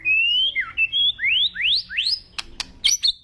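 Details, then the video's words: An agitated white-rumped shama sings strongly rising, high whistles, each sweeping upward, followed by several sharp percussive clicks and a short chirpy phrase. "BAHAYA NANTI MURAI MU NGAMUK"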